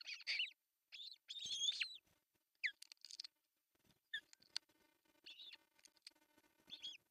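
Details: At a Finnish artificial osprey nest in Pohjois Satakunta, June 10, 2024, the male arrives with a big fish for breakfast; high, squealing chirps come in uneven bursts, some long and warbling, others short and clipped.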